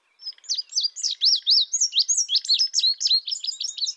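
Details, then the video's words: Indigo bunting giving a fast, high series of sharp downslurred chirps, about four per second, bright and strongly repeated throughout, with faint lower buzzy notes beneath and a quiet background. "Indigo bunting sound | call"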